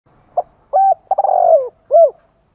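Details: Decoy spotted dove cooing to lure wild birds: a short soft note, then a steady low coo, a stuttering phrase that swells and slides downward, and a final arched coo. Clean, quiet background.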